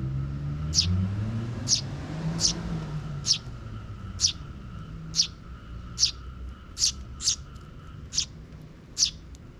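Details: A young sparrow chick trailing its parent in a park, June 2023; short bright chirps repeat about once a second over traffic rumble and a faint steady hum.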